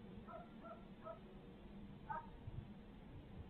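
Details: Midtown Tulsa barred owls, filmed for a 2020 live feed, giving three evenly spaced raspy notes followed by a louder, sharper squawk, with low rumbling hum throughout.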